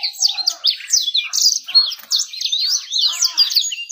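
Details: Songbird singing to draw in a female: a continuous, rapid, high warbling song of tumbling twittered and slurred notes with trills, sustained without a break through the whole passage.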